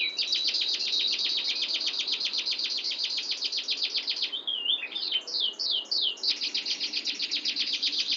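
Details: Canary's long rolling song: a sustained, very fast trill of clipped high notes for over four seconds, broken by a short phrase of swooping whistles, then the rapid trill resumes.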